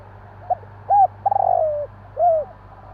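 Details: Night-time call of a spotted dove: a short clipped note, then a rounded coo, a long rolling purr sliding lower, and a final arched coo, with a faint steady hum beneath.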